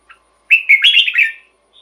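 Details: Red-whiskered bulbul song used to excite caged bulbuls: a single bright, bubbling phrase of quick slurred whistles, preceded by one short chirp and trailed by a faint note.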